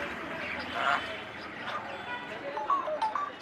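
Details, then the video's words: A pet grey parrot says a speech-like "hello", followed by a few short, pure whistled notes, over light background noise. "Grey Parrot says " hello""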